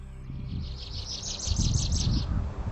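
American Goldfinch giving a quick run of about ten high, thin chips over two seconds, over a low rumble of background noise.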